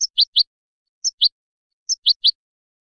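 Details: European goldfinch notes played for young birds to hear: short bright chirps in clusters of two or three, repeated roughly every second against silence.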